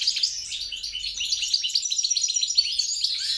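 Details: Goldfinch hybrid mule, European × grey-crowned, singing a bright twittering song of quick chirps, buzzy trills and clear high accents repeated in quick succession.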